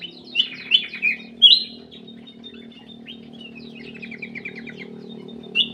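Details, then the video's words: Black-capped bulbul singing vigorously in an aviary: quick bright whistled notes and slurred phrases, some falling, with a loud rising whistle near 1.5 seconds and another at the end, over a steady low hum. "KICAU KUTILANG EMAS \ CUCAK EMAS GACOR"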